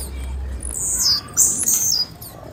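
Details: Female blue-black grassquit uttering a run of thin, high, downward-sliding chirps in close succession, with a low hum at the start and faint background noise.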